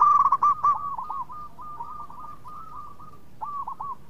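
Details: Local zebra dove, a lively singer described as sweet-voiced and good at drawing other doves into song: bright ringing coos near one pitch break into quick hooked, bubbling notes, with fainter dove phrases continuing behind.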